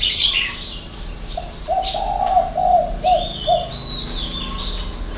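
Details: Six-note cooing of a spotted dove, 'hậu 3' style: one phrase of soft, hollow notes in a row after a brief pause, while small birds twitter and whistle higher up.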